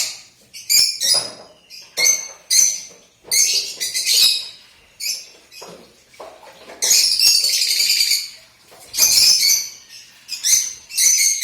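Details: Pet Lutino lovebird calling with shrill, harsh high-pitched chirps in quick irregular bursts, including a longer rasping chatter partway through, with short quiet gaps between calls.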